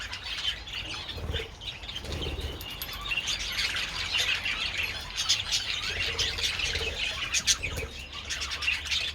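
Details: Budgerigars enjoying treats in the sunshine on 27 February twitter and chirp continuously at moderate volume, with a few harsher squawky notes.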